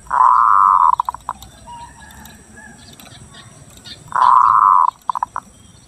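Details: Zebra dove lure call for attracting birds and stimulating breeding: two phrases, each a long level cooing note ending in a few quick staccato notes, separated by a few seconds of faint background sound.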